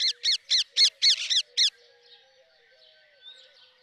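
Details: Rapid run of about seven harsh, shrill screeches from a rose-ringed parakeet, evenly spaced and roughly four per second, then stopping; soft low whistled notes continue in the background.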